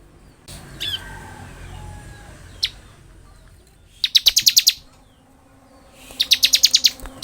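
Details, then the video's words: Bar-winged prinia singing energetically in the continuous chattering style known as ngebren: two bursts of about seven rapid, high, sharp ticking notes, each burst lasting under a second, separated by a pause and faint softer chirps. "Suara burung ciblek gacor full Ngebren"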